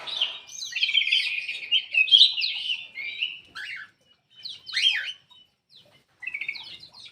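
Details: Aviary black-crested bulbul whose song serves to encourage reluctant birds to sing: a dense, bubbly warbled phrase, followed after short gaps by a few sharp downslurred whistles.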